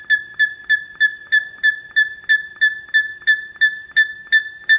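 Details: Captive male buff-crested bustard calling indoors at Philadelphia Zoo's avian house, June 2014, asserting territory. Loud, piercing notes repeat about three times a second, each a bright clipped ring with a slight downward edge, in an insistent series.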